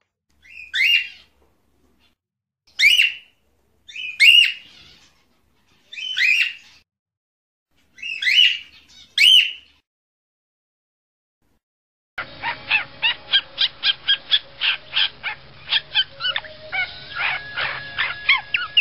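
A cockatiel gives loud, rising whistled calls about every two seconds, then a rapid chattering series.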